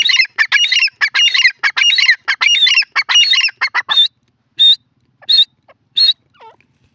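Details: Grey francolin, known locally as dasi or dakhni teetar, with more than one bird calling: dense bursts of harsh, squawking notes rattle out rapidly for about four seconds, then a few separate loud notes follow roughly every 0.7 seconds before fading out.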